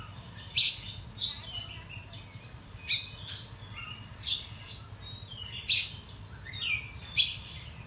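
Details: Agitated Oriental magpie-robin singing in the morning with tail opened, a lure sound to excite other magpie-robins: sharp, harsh broadband notes roughly every one to one and a half seconds, interspersed with soft whistled fragments, faint hum behind.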